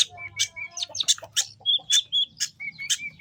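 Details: Long-tailed shrike singing actively, used as a lure for young wild shrikes from the forest: a jumble of short high chirps, brief whistled notes and scratchy bursts, with a soft low hum underneath.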